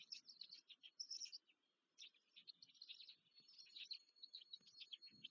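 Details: Black stork chicks in their nest near Łódź, Poland, clamour for food as they are fed, 14 May 2023. Shrill chirping bursts start, pause briefly, then resume densely, with a low thud near the end.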